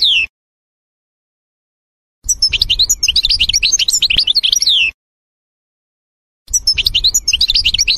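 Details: Wild goldfinch singing in a forest, repeated bursts of rapid, jangling twitters about two and a half seconds long separated by silences, over a low background rumble.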